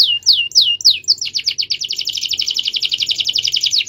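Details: Caged canary in a long rolling song: a few downward-sweeping whistles, then a rapid, dense buzzy trill of repeated notes continuing to the end.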